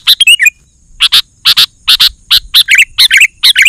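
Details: Energetic song of a sooty-headed bulbul, played to make other bulbuls respond: a brief whistled flourish, then doubled harsh chirps roughly every half second, the later ones running into bubbly warbled notes.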